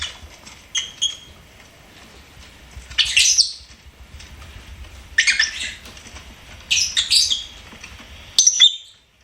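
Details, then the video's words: Lovebird kept as a pet, chirping: scattered faint ticks, then four harsh, screechy squawk bursts spaced about one and a half to two seconds apart, with a final sharp squeak. "LOVEBIRD SINGING & CHIRPING SOUNDS"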